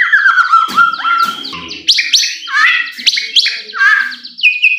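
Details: White-rumped shama song meant to provoke a bird into singing: a descending clear whistle opens, followed by fast varied warbles, rising slurs and sharp chattering notes packed densely together.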